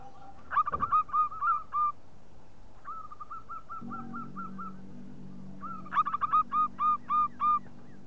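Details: Local zebra dove lure call: a quick flurry of bright ringing notes, a gap, then a steadier run of clipped coos, and a final burst, with a low humming drone in the middle.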